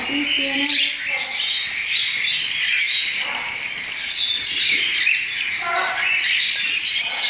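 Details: Young cockatiels that recently left the nest beg while being hand-fed baby food. Overlapping scratchy, high hissing cries form an unbroken chorus that swells and dips in intensity.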